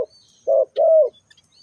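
Spotted dove giving two low, hollow coos, a short one followed by a longer, steady note, with a faint thin whistle in the background.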